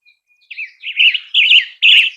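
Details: Western tanager (Piranga ludoviciana) song, in the United States, possibly a female: three hoarse, burry, robin-like phrases, rising slightly and growing louder, spaced about half a second apart, after a faint thin note.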